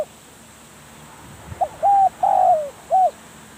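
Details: Decoy spotted dove cooing: a soft lead-in note, a flat short hoot, a long coo sliding down at its end, and a final short hoot, over a quiet background.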